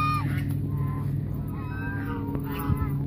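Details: Hungry geese crowding toward people at Mueller Lake park, Austin, Texas: a quick series of harsh, nasal honks, some overlapping, above constant low-pitched background hum.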